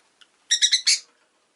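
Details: A faint short tick, then four harsh, buzzy chirps from a Rosy-faced lovebird delivered in a rapid run lasting about half a second, the last one broadest and loudest.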